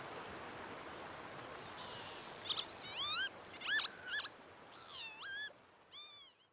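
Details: Faint, hissy background gives way to a Northern lapwing's rising, slurred cries and buzzy notes in the second half, fading out at the close.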